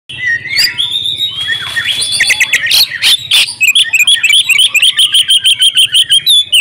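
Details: Female Oriental magpie-robin calling to a male to make him sing; varied whistles and slurred notes give way to a fast series of short rising chirps, about three a second, clear and loud.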